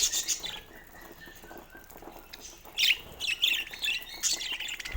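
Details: Pet budgies playing with a toy: quiet rustling at first, then a run of bright, sharp chirps and warbled squeaks in clustered bursts over the last two seconds.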